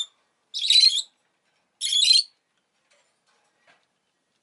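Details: ['Rosy-faced lovebird, a pet parrot, giving two harsh, buzzy chirps about a second apart, each lasting half a second, with quiet between.']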